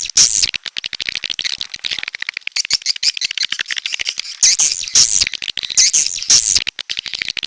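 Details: Edible-nest swiftlet, of the red-nest kind, giving rapid dry clicking rattles mixed with high, thin twittering chirps in dense bursts, with louder squeaky clusters near the start and again from the middle onward.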